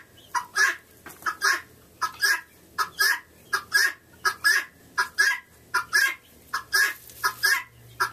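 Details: Repeated grating double calls from a female guinea fowl recorded November 28, 2011, as a hen scratch-dances nearby. Loud paired notes come in quick succession, about eighty a minute, over a faint low hum.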